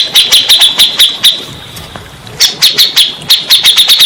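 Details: Grey-cheeked bulbul, its song used as therapy to prompt stressed, silent birds to sing. Crisp, clipped notes repeated about three per second in two bouts separated by a short gap.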